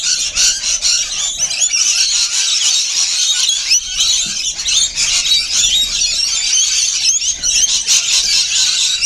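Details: Rainbow lorikeets at a feed produce constant shrill chattering and squealing from many birds, rough and high-pitched, swelling and easing in waves throughout.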